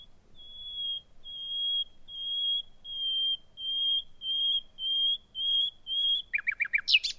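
Nightingale phrase: nine pure, high whistles on one pitch, swelling louder at under a second apart, then a quick burst of lower chattering notes and a sharp flourish.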